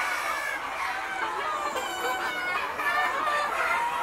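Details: Mixed yard flock of Noi, bantam and crossbred chickens roaming free in daylight: a constant chorus of layered clucking and soft chattering calls, with no single bird standing out and no pauses.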